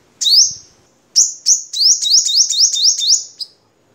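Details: Crimson sunbird of the Vietnam type, a recording used as a master song for training cage birds: two separate high, sharply upswept notes, then a quick run of about seven sweeping notes in a clean, quiet background.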